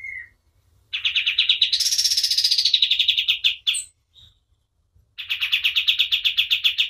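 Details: A kapas tembak white-eye singing energetically, suited as a training recording for other birds: one low note, then fast high chips rising into a buzzy sweep, a pause, and another rapid chip series.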